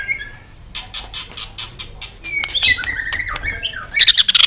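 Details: Excited white-rumped shama flicking its tail; a series of soft clicks leads into varied whistled phrases and ends in a loud, harsh, rapid chatter.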